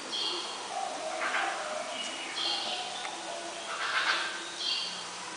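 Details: Green pygmy goose (Nettapus pulchellus) giving high, thin whistled calls about every two seconds, with softer rustling bursts and a low background hum between them.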